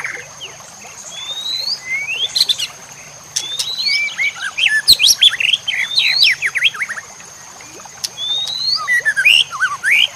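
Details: White-rumped shama singing as a master song for training other shamas, over nature sounds and a trickle of water: dense, rich phrases of quick rising and falling whistles, some high and sharp.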